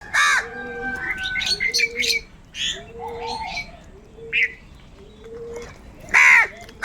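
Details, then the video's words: Hungry crows eating together and fighting over food: loud, harsh, harmonic caws at the start and again near the end, with softer cooing and chirps between them. "So many hungry Crows are eating and making noises together"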